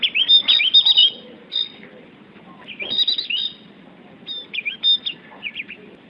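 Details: Javan grey-throated white-eye (opior Jawa) song: bursts of quick, high, jumbled twittering and short whistled slurs, broken by brief pauses, over a faint background rustle.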